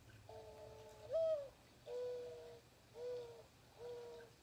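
A Mourning Dove gives four soft, hollow, low coos, the first rising and the rest steady, about one per second, over faint background hiss.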